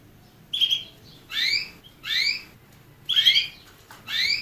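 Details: Canary singing a sparse phrase of clear whistled notes. Most notes are bright upslurs and a couple are flat, steady whistles, spaced about half a second to a second apart against quiet indoor background hiss.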